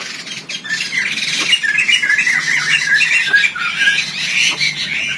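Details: Agitated black-winged myna in an Indonesian breeding aviary, repeatedly attacking the keeper. Harsh, buzzy squawks are packed into a continuous chattering stream, about two per second, throughout the clip. Faint rustling can be heard underneath.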